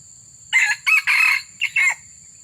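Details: A red junglefowl crows in a luring setup aimed at wild birds, giving a brisk four-segment crow with a stuttered ending, harsh and bright, backed by a steady shrill tone and soft low background noise.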